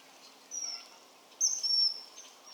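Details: Common kingfisher recorded in the wild: two high, thin whistled calls, the second a longer drawn-out piercing whistle, over quiet natural background noise.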